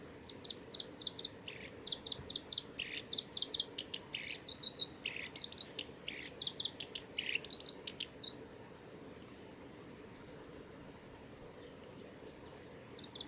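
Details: Black-browed reed warbler singing at the Kita-Fuji training area, Japan, on 29 July 2018. Rapid high chirps, buzzes and clicking notes come in quick varied bursts for about eight seconds, then stop, over a constant hiss of background noise.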